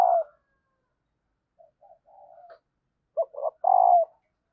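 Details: Female spotted dove call to encourage males to coo: the tail of one hoot, soft murmured low notes, then a full three-part phrase of two short notes and a long hoot.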